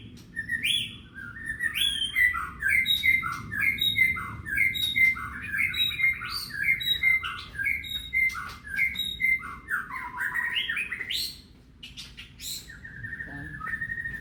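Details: White-rumped shama, murai batu, in loud clear song used as a lure for birds at home: a long run of crisp repeated whistled notes about once per second, then varied rising phrases and a long steady whistle near the end.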